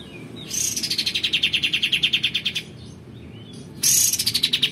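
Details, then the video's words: Energetic male olive-winged bulbul song used for tutoring other songbirds: a long rapid rattle of descending notes, a pause with faint short whistles, then a new fast burst of falling notes. "kapas tembak jantan gacor mp3"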